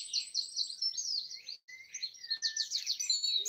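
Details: Birds singing in trees in Broadford, Kildare, Ireland, early morning on Easter Sunday 2020; dense, rapid high twittering and whistled notes from several birds, with one brief pause partway through.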